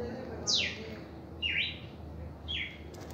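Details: First reaction song of a red-crested cardinal: a high sweep dropping sharply, then two short buzzy notes at a steadier mid-high pitch, evenly spaced about a second apart over a low hum.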